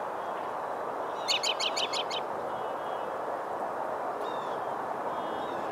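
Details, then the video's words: American robin calling close up for the spring in Kissena Corridor Park, NYC, in March 2012: a quick burst of about six sharp, evenly spaced notes, then faint thin whistles over a steady background roar. "American Robin (close up) "calls" for the spring"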